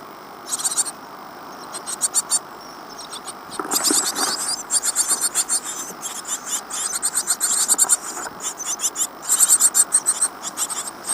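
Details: Great tit nestlings in a nest box in Falmouth, UK, 15 days after hatching on 25 April 2011, give a steady chorus of high, hissing, rapid chirps in quick bursts over a faint low murmur.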